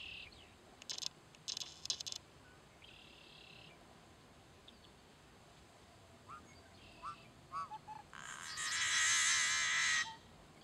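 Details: Male Yellow-headed Blackbird sitting right next to the road at Cheyenne Bottoms Wildlife Area near Great Bend, Kansas, giving dry clicking notes and a few short rising chips, then a long, loud, harsh rasping buzz lasting about two seconds.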